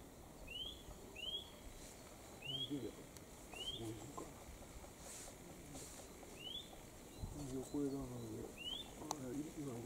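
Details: Eurasian nuthatch on Mount Kongō, a mountain with many nuthatches, giving pairs of ringing upslurred whistles spaced a few seconds apart, partly masked by nearby human conversation.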